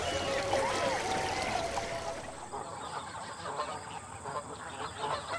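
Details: Greylag goose in Great Britain gives a few nasal, slightly wavering honks over the first two seconds, followed by a dense, rushing wash of noise and distant calls.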